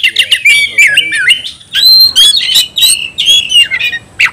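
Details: Challenge call of a white-rumped shama summoning a rival to fight: a dense, fast stream of chattering, slurred whistles and scratchy notes with a brief pause midway.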